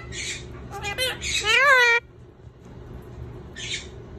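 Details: At lunch time, an Indian ringneck parakeet gives a short series of harsh, noisy bursts and then a drawn-out, arching, harmonic screech. A faint rustle is heard later.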